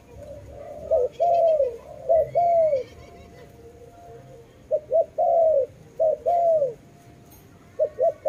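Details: Dove cooing in regular phrases, each a quick pair of short notes then a long down-curving coo, separated by pauses of about a second.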